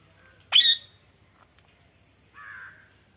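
A ringneck parrot gives one loud, harsh screech, then after a pause a softer, raspy, lower note. The background is otherwise quiet.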